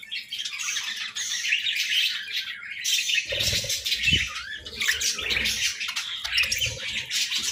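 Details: Pet budgerigars chirp through the morning in a dense, twittering chorus, while low thuds and rustling bursts, possibly flapping, join in from the middle onward.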